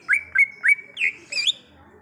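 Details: Wild greater green leafbird delivering a short phrase of three clear whistled notes joined by a level tone, followed by two higher twisting whistles.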